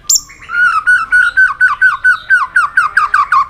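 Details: White-rumped shama in competitive singing: a rhythmic series of about twelve repeated slurred notes, roughly four per second, lower pitched and slightly hoarse, after a high opening whistle.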